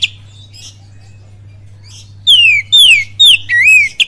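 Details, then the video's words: Oriental magpie-robin kapas tembak song with cililin notes: after two seconds of near quiet, four loud pure whistles, the first three dropping in pitch, the last wavering, with a faint electrical hum throughout. "SUARA PANCINGAN KACER FULL KAPAS TEMBAK CILILIN DAHSYAT"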